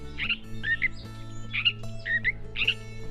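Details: Rich, harsh paired notes come in bursts about twice a second as a catbird mimics species such as Sora rail, Western meadowlark, Wilson's snipe and Pacific tree frog, a repertoire possibly showing females his survival; music plays beneath.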